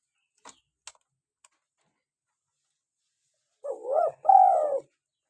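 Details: A lively local spotted dove. After a few sharp clicks and a pause comes one phrase: a wavering upward coo leading into a longer, smooth, falling croon.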